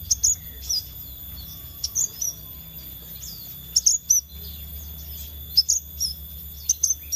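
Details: Scarlet minivet lure: high, sharp notes in pairs and short groups, repeated at irregular intervals, with a constant high electronic-sounding tone behind.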